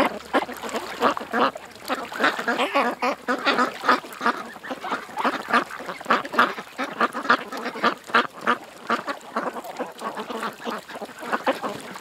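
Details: Ducks at a creek, a flock calling nonstop with dense, overlapping nasal quacks that rise and fall in bursts throughout, no other sounds standing out.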